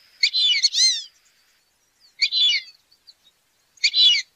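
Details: Wild duck uttering three separate bursts of high, clean harmonic calls about two seconds apart, against near silence.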